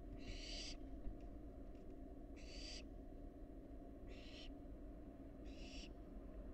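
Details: Wild barn owl fledgling in a nest box, giving four rasping, hissing screeches about every one and a half seconds, each roughly half a second long, against a constant low electrical hum.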